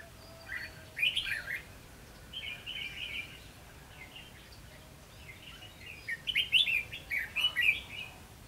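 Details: Red-whiskered bulbul in a singing contest at a decoy trap, 19 July 2016: scattered short warbled phrases in bursts near the start, middle and end, separated by quieter gaps with faint background hiss.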